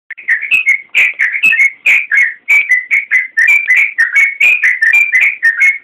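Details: Yellow-vented bulbul (trucukan) singing energetically in a 'gacor' style, a recording meant as a master for training songbirds: bubbly, liquid whistled notes in quick clustered phrases, each note rising and falling, repeated continuously with short gaps.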